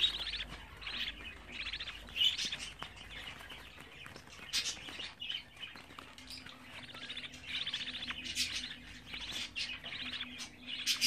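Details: Budgerigar chicks aged 24 days chattering continuously in buzzy, rasping phrases broken by sharp clicks and brief pauses, with a faint low hum in the background.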